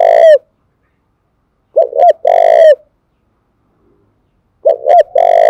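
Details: Spotted dove in Dong Nai, Vietnam, giving repeated coo phrases meant to provoke and train decoy birds: two quick arched notes and then a long rasping coo that falls off, the phrase repeated about every three seconds.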